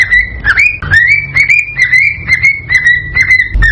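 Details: Cockatiel excitedly singing to spur mating, a string of smooth whistled notes, each sliding upward then levelling off, repeated a little over twice a second above a faint hum.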